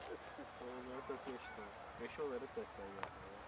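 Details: Greater flamingo recorded on 01.02.2015. Short, nasal, goose-like honks come in quick, overlapping bursts that form a steady gabbling chatter. A sharp click cuts in near the end over a low background hum.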